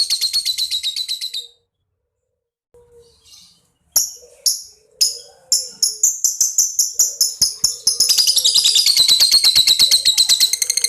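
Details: Young fighter-type lovebird (balibu) calling to provoke other lovebirds to answer: a dense, buzzy, harsh chatter, then a pause, then sharp separate chips that speed up into a fast, continuous, grating chatter.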